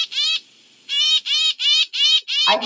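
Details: A Northern Shrike, a predatory songbird and winter visitor to northern New York, gives a run of five harsh, nasal notes about twice a second, then a brief low thump. It calls like this on arriving in October and before leaving in April.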